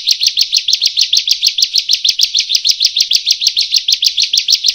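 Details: Training song of the bar-winged prinia (ciblek/prenjak) for birds that sing too little: evenly spaced, sharp, high double-peaked notes, about five a second, repeated steadily and clearly.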